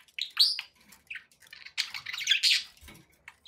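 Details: Pet budgerigars giving short, bright chirps and scratchy squawks, with a dense burst of overlapping chatter in the middle and brief pauses between phrases.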